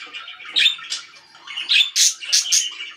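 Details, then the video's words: A short stretch of loud pet budgie chatter: buzzy murmuring notes interrupted by several harsh, piercing squawks in quick succession. "VERY LOUD BIRDS (4K WATCH HOUR)"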